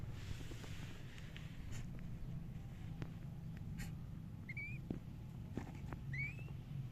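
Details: Cockatiel chirping: two brief, bright, upward-sliding whistled chirps, the second about one and a half seconds after the first, over a steady low rumble with scattered faint clicks and taps.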